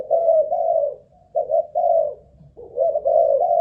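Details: ['Spotted dove, a Malaysian-stock ground decoy in a cage, cooing under a stamina test: smooth low coos in linked pairs, slightly falling in pitch, three phrases with brief pauses.']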